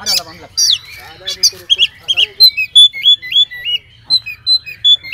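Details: Oriental magpie-robin with a full 'isian' filler song, meant to provoke other magpie-robins into responding. Harsh scratchy squawks open the phrase, then a clear series of looping whistles repeats steadily, roughly three a second.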